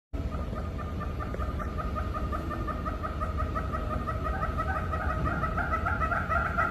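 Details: Kept red-billed hornbills sing a long, steady series of hollow clucking notes, about three or four a second, over a constant low rumble.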